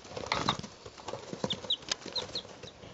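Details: Three two-day-old chickens recorded in 2012, giving short high peeps that slide downward, about seven in quick succession, over soft rustling, scratching and patter from movement.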